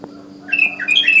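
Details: Wild sooty-headed bulbul calling other bulbuls in the morning: a quick rising run of bubbly, chattering whistled notes that builds in loudness, with a low steady hum beneath.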